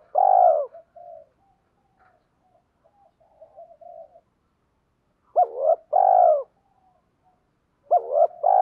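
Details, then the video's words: Spotted dove kept as a decoy bird, calling to lure wild birds; loud, low cooing phrases of a strong first note followed by softer trailing coos, repeated three times with quiet pauses between. "chim cu gáy cườm thúc và gáy gọi. tiếng chim cu gáy kích bổi nhanh nổi"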